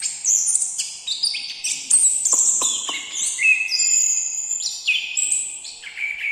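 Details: Orange-headed thrush singing a rapid, varied string of clear whistled phrases. Notes hop between very high and mid pitches, each held briefly, with a few short buzzy accents between them. No other sounds stand out.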